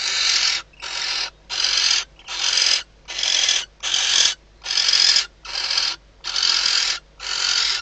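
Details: Inside a nest box in the Ebro Delta's Riet Vell reserve, a female barn owl calls to her arriving mate shortly before hatching: rasping broadband hisses in a steady series, roughly one each second, with brief gaps.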